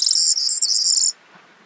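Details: Corn bunting of subspecies calandra, Crau, France, May: a sustained, high, dry jangling trill lasting about a second, then quiet.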